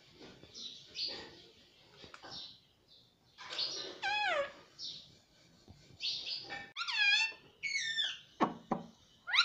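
A pet ringneck parakeet gives harsh, raspy bursts and high, downward-sliding squawks in quick clusters, with short pauses between them.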